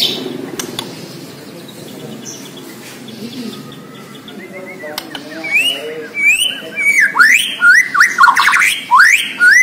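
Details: Borneo white-rumped shama singing strongly. A few faint notes over a low murmur at first, then a loud rush of rapid whistled slurs and sharp chirps in the final seconds.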